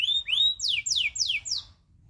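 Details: Loper local canary singing a tutor song: a couple of rising whistled slurs, then four loud, clear notes dropping steeply in pitch, evenly spaced and fading out.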